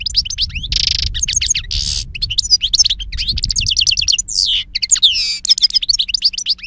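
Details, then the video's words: European goldfinch song from a recording used to lure birds for capture: rapid tumbling twitters and liquid trills, buzzy rasping notes and bright whistled phrases in a fast, varied stream, with low background rumble. "Chardonneret qui chante"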